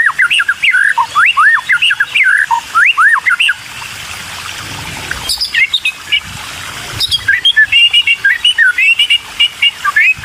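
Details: Hungry white-rumped shama chicks begging as a parent brings food; bursts of squeaky, up-and-down slurred calls, a pause with only faint background, then more rapid high chirps.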